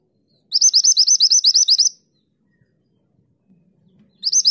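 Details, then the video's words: A mantenan gunung delivers its 'tulit tulit' song, made as training material for songbirds: a fast string of around twelve clear, rising chirps lasting one and a half seconds, then quiet before another burst begins. "Mantenan gunung gacor nembak tulit tulit"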